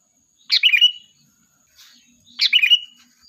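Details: Lively sooty-headed bulbul, a lure song for calling the flock: two bright, bubbly chattering phrases about two seconds apart, with a faint softer note between them.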